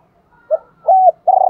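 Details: Decoy spotted dove calling to lure and train other doves: three mellow low coos, a brief first note, a longer level middle note, then a drawn-out slightly wavering final coo, clean quiet background.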